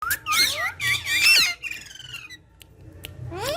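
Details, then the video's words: Green talking parrots playing together indoors: harsh, harmonic squawks with wavering, looping pitch in the first second and a half, then fainter descending notes and a rising squeal at the end. "Funny Green Talking Parrot Speaking And Fun With Each Other"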